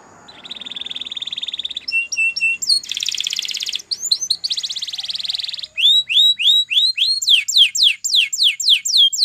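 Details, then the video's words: Spanish Timbrado canary training song with a steady metallic trill, short clipped notes, a dense buzzing roll, then bright rising slurs and quick falling notes repeated rhythmically. "Canary Singing CHAMPION for Training / Spanish Timbrado Song"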